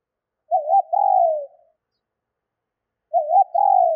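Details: Female spotted dove call for stimulating males: a quavering double note and a long, gently falling coo, followed after a pause by the start of a second phrase. Nothing else is heard.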